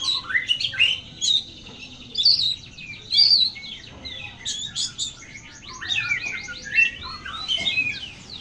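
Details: Oriental magpie-robin singing vigorously: a varied, rich run of whistled slurs, sharp chirps and rapid trilled phrases, changing pitch often, with short pauses between bursts.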